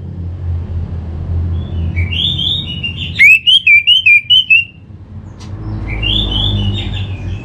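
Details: Caged orange-headed thrush, played as a lure to prompt singing, in North Bali: a fluent warbled whistled phrase in quick rising and falling notes, with a steady low hum behind.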